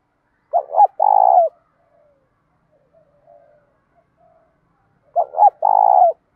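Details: A spotted dove sings in the cooing style called "đồng pha tí thổ", used to stimulate doves kept for training. Two clean bursts of low, rolling coos come at the start and the end, with near silence between.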